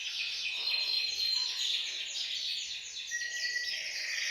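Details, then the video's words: Canary group song in a bird room, meant to stimulate males to sing; quieter blend of fast trills and long thin whistles, overlapping voices forming a steady high chorus. "أقوى تحفيز لتغريد وتجهيز الكناري، تغريد جماعي في غرفة الطيور سيجعل طيورك تغرد مباشرة"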